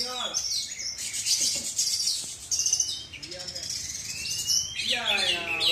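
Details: Oriental magpie-robin, black-and-white kacer from South Aceh, Indonesia, in continuous high song of fast trills, buzzy notes and a long rising whistle, with a brief human voice near the end.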